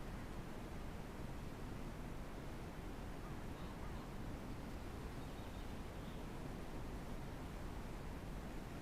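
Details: Constant even hiss of broadband noise from a livestream microphone, with no animal sound.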